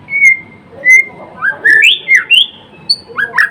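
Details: Murai batu, the white-rumped shama, giving clear separate whistles, level and then sweeping up and down, in short phrases about twice a second with small gaps.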